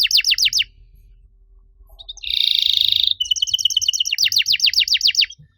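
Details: Canary master song for luring non-singing canaries into song. A burst of sweeping downward notes opens, then a pause, a dense buzzing roll, and fast repeated sharp chips with sweeping trills.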